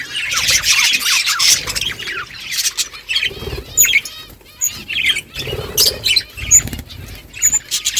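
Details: Budgerigars in a flock on a morning, calling to each other in busy bursts of scratchy warbles, rising chirps and squawks, with brief quieter gaps and low rustling between.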